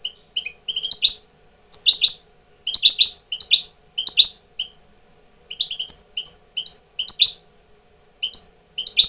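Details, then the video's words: Tutor European goldfinch coming into breeding condition sings repeated short phrases of clustered high tinkling and buzzy twittered notes, each phrase under a second, delivered about once a second with brief gaps; background otherwise quiet. "jilguero maestro cogiendo el celo"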